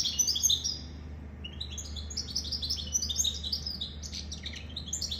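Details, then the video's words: A goldfinch mule (goldfinch crossed with canary) pours out a continuous jangling twitter of high, quick chirps and short trills, with a steady low hum in the background. "Goldfinch mule sirwitty bird"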